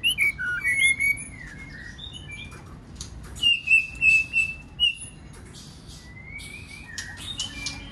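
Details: White-rumped shama song for provoking other birds to sing; scattered whistled slurs open, then a series of four or five clear, level whistled notes about half a second apart, ending with a soft rising whistle.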